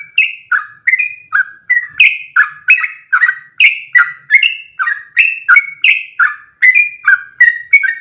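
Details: Sooty-headed bulbul delivering a long continuous song for tutoring other birds: rapid run of bright whistled two-note phrases, high then lower, about three per second without pause, clean and unaccompanied.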